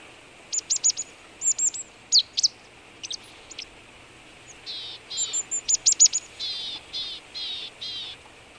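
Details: Marsh tit on a frosty winter morning (−18 °C, 22 February 2013) at boar remains in Belarus's Vitebsk region: crisp high paired chips, then a series of five or six harsh, buzzy notes repeated roughly every half second.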